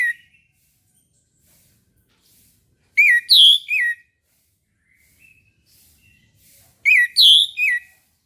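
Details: Orange-headed thrush singing in the morning: two loud, clear whistled phrases about four seconds apart, each three slurred notes with a higher middle note and a falling last note. Quiet gaps between phrases.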